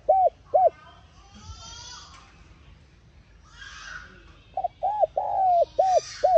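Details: Spotted dove calling to lure a decoy bird into song: two short arched coos, a pause filled with faint higher whistling and rustling, then a full phrase of clipped, drawn and arched hollow coos.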